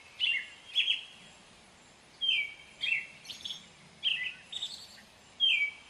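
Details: Song of an American robin, a thrush: rich whistled phrases, each dropping or rising quickly, in pairs separated by short silences, clean recording with light hiss.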